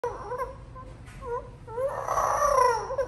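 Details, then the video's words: Pet Amazon parrot, angry and crying after being bathed, gives a series of wavering, tonal cries rising and falling, ending in a long loud wailing call indoors. "Loro enojado porque no se quiere bañar/loro llorando porque lo bañaron"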